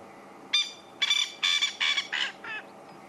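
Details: Male Coqui francolin, watched while calling at sunset: six harsh, buzzy nasal notes, each about a quarter second long, evenly spaced, the last one fainter.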